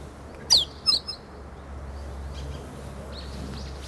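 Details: Young meadow bunting in song practice, recorded 8 March 2011 at close range, unafraid; a pair of thin, high, downward-slurred notes early on, then only faint distant chirps and low rumble.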